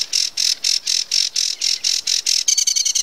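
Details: Acrocephalus schoenobaenus, the sedge warbler, delivers harsh buzzing notes repeated about four times a second, then switches to a quicker, clicking chatter with sharper separated elements.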